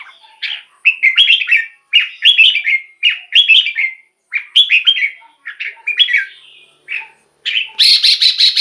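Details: Caged red-whiskered bulbul song, meant to rouse other cage birds. It gives clear, warbling whistled phrases, each a tumbling cluster of notes, about one per second, with a sharper, higher burst near the end.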